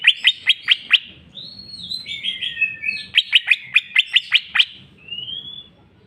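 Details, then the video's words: Greater green leafbird in full jamtrok bongkar isian song: a series of five sharp chips, a warbled slurred whistle passage, then about eight more quick chips and a fading whistle. "cucak ijo mewah ful jamtrok bongkar isian"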